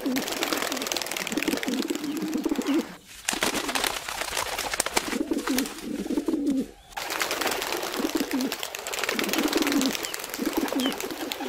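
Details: Low, murmuring coos from wild pigeons outdoors in nature, in rolling phrases broken by two brief drops in background noise, with constant hissy ambience.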